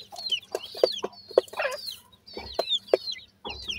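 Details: Several grey francolin chicks peeping: thin, high whistled notes sliding downward, interrupted by sharp tapping clicks roughly every half second.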